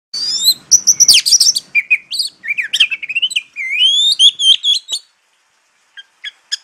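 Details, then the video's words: Oriental magpie-robin (kacer) sings a rich, varied run of clear whistles, buzzy notes and rising slurs for about five seconds, then gives a few scattered high chips. "Kacer Jawa"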